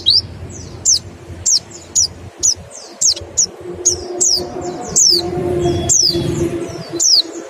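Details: 'Nembak' style Mountain white-eye song serving as a 'ngecal' lure for quick singing: evenly spaced, piercing, downslurred whistled notes roughly every half second over a low background hum.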